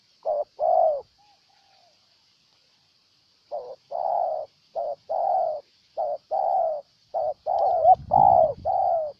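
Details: Spotted dove from Ninh Thuận, Vietnam, cooing in short bursts of two to three notes, each ending in a longer falling coo, with a pause and faint low rumbling near the end.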